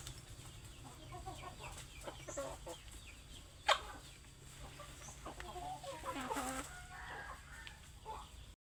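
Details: Hungry chickens clucking and muttering in uneven clusters, with a sharp click partway through and a rising flurry of louder, wavering clucks toward the end over a low hum.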